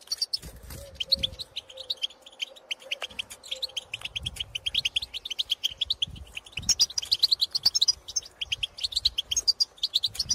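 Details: European goldfinches out in open countryside, calling to birds of their own species: a dense, continuous stream of high liquid twitters and chirps, growing busier and brighter toward the end, with faint low rumbling beneath.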